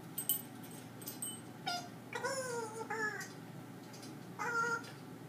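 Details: Pet parrot talking to the dogs indoors: a few soft, voice-like syllables with a gliding, wavering pitch, spread over five seconds with quiet gaps, against faint room hum.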